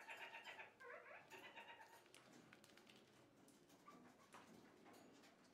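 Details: Kakariki parakeets eating fresh food give quick, nasal, chattering calls about four a second at first, then softer clicks and twitters with faint background noise.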